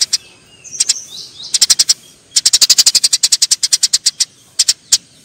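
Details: Sharp high chirps from fighting Eurasian tree sparrows, building from scattered notes into a long rapid chattering run of evenly paced chirps, ending with a few isolated calls.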